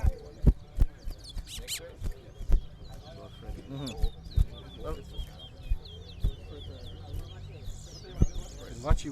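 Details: Quick, twittering phrases and sharp chips from a large-billed seed-finch (towa towa) at a bird singing competition, over loud knocks, low rumbling and nearby voices.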